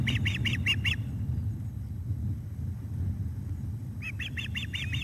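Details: Evening fish delivery to an osprey nest, 17 July 2021. A burst of five rapid whistled chirps is followed by three seconds of quiet, then another run of similar chirps. Steady low-pitched background noise is present.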